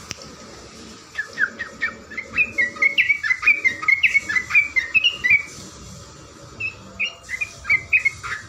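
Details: Actively singing trucukan garuda, a yellow-vented bulbul, in a training recording for cage birds: after a second of hiss, quick chains of liquid whistled notes rise and fall, then break into shorter bursts.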